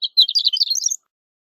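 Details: Shore lark, also known as horned lark, delivering a fast, high, rippling twitter of tightly packed notes that rise in pitch through the phrase and stop abruptly; no other sounds.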